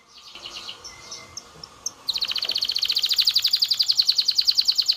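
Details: Canary singing to stimulate mating: faint scattered notes over hiss, then a loud, fast rattling trill of rapid repeated notes lasting about three seconds.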